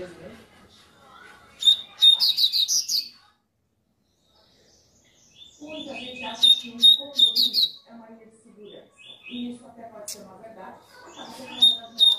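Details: Coleiro (double-collared seedeater) singing in the tui-tui style as a warm-up song: two bursts of fast, sharp, high repeated notes, with music and speech playing underneath.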